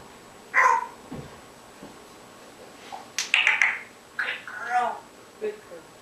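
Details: African grey parrot talking indoors in near darkness, unaware a camera is on. It gives scattered speech-like mumbles and syllables with a burst of sharp clicks and whistled notes midway, separated by quiet pauses in a small room.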